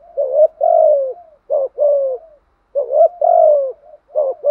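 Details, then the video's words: Spotted dove, described as a trained caller, gives rhythmic coos: short rising notes each followed by a long falling coo with a soft trailing tail, repeated at a steady pace. "chim cu gáy bài bản thúc gù bổi nhát mấy nghe cung phải gáy theo"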